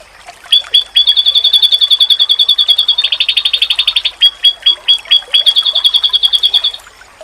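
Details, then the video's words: Oriental white-eye (pleci) song used as a masteran tutor recording, said to make rival white-eyes answer; rapid, high ringing notes in a fast trill, a denser buzzy burst midway, then a few spaced notes before the quick trill resumes. "Sekali Lawan denger,Pasti Burung Pleci lain Auto nyaut"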